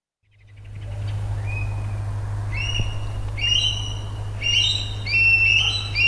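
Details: Two Eurasian Stone-curlews in Portugal in a noisy shouting bout, shrill, wailing whistles overlapping and growing more excited, over a steady low hum; most active at night and dusk, vocal in nesting season.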